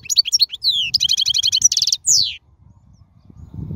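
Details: Wild European goldfinch singing, a recording meant to train young birds: quick liquid twitters, a fast buzzy trill and a downslurred whistle, then fading low background noise.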